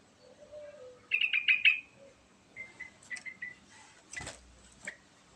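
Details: Sooty-headed bulbul giving a rapid run of bubbly, liquid notes, followed by scattered single chirps, with lower whistles from another bird, a sharp broadband knock, and steady background noise.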